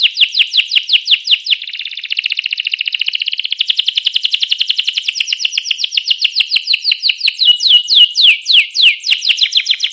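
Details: Canary song used as a lure to get other canaries singing: continuous loud chains of rapid rising sweeps and buzzy trills, with high overtones, barely pausing throughout.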